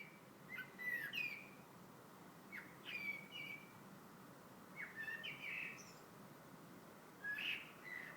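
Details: In February a bird sings scattered phrases of whistled and chirpy notes, some short buzzy bursts, spaced a second or two apart over a soft hiss.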